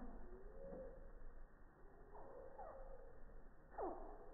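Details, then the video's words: Slowed-down hummingbird song from 240 fps slow motion at a busy feeder on a quiet morning, iPhone 6+ at three feet; a few drawn-out, downward-sweeping chirps spaced over several seconds, the last loudest, over soft background hiss. "Song of the Hummingbird - Slow Motion Video and Audio"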